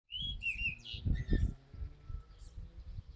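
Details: Common blackbird singing: a few fluted, warbling whistled notes at the start, fading into quieter phrases, over heavy low rumbling noise.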